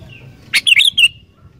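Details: Sooty-headed bulbul giving a short, lively song burst, used to prompt wild bulbuls to sing: a sharp note followed by three bright, gurgling, fluty notes in under a second, against a faint low rumble.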